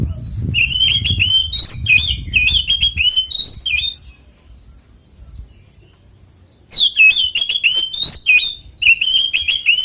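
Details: Oriental magpie-robin in fighting song meant to prompt other magpie-robins to sing, giving rapid runs of ringing whistles and harsh chirps, breaking off into a pause of nearly three seconds before resuming the fast phrases.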